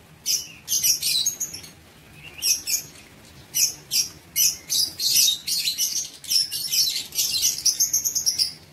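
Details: Caged aviary lovebirds, recorded 19 September 2023, giving a run of sharp, high, scratchy chirps in short bursts about every half second, some squeaks sliding upward.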